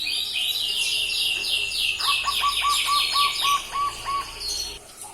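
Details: Two-month-old local barred dove, kept since three weeks and answering whenever whistled to, learning to sing: a string of descending high whistled sweeps overlapped by about eight short mid-pitched coo notes.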